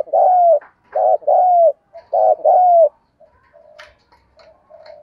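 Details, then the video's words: Spotted dove, played to get a freshly trapped wild bird cooing fast. Loud paired hoots, a brief note then a drawn-out falling one, come for three seconds. Then softer, quieter coos follow with a few faint chirps. "cu gay kich boi nhanh noi gù"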